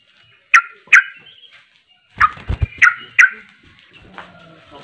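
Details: Sooty-headed bulbul giving an agitated, emotional rapid song ('ropelan') that provokes other bulbuls: loud, sharp fluty notes in pairs, separated by pauses of silence, with a few low thumps and a softer trailing note.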